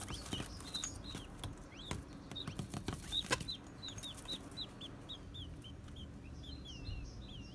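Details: Pet male king quail, angered during cage cleaning, spreading its wings and charging; its rapid po-po-po call signals anger. A quick series of short, thin, high chirps runs through the recording, over knocks and rustling from the cleaning.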